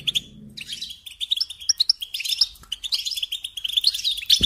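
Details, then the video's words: A brief chirp, a short pause, then an increasingly dense goldfinch twitter with sharp high notes, used as a lesson for young songbirds; a faint low hum at the start. "Teaching Singing Lessons Through Goldfinch Motives"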